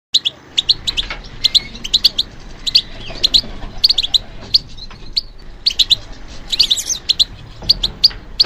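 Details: European goldfinch singing in response to stimulation: bright, high twittering chirps in quick irregular bursts, some notes doubled, about 34 per minute, with faint low background rumble.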